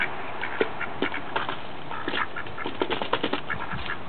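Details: Mallards in spring, two males begging for birdseed at a back door, give a busy run of short nasal quacks and chattering notes, overlapping in quick irregular bursts.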